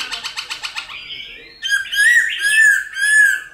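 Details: Silver-eared laughingthrush singing wild-type song, used each morning to stir caged birds into singing: a fast run of about eight rattling notes, then loud, rich, slurred whistles repeated about every half second.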